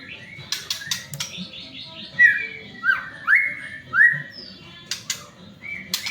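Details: Lure song of a white-rumped shama, used to prompt other shamas to sing: a few soft notes, then three or four loud, rich whistled slurs about a second apart, rising and falling, with sharp clicks around them.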